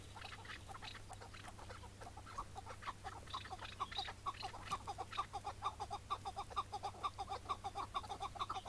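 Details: Iraqi-type chukar partridge on a May 2017 mating-season morning during a capture: scattered notes settle into a regular, accelerating series of rough chuk calls, about two per second, with a constant low background hum.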